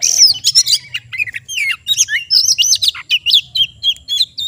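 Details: Kept oriental magpie-robin singing energetically: dense bursts of high chirps, slurred whistles and scratchy notes in quick succession, ending in a run of repeated clear whistled phrases.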